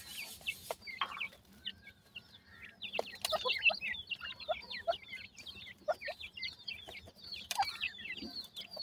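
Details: Feeding grey francolin chicks give rapid high cheeping notes, brief upslurred and downslurred peeps chattering together, interrupted by a few loud clicks and knocks.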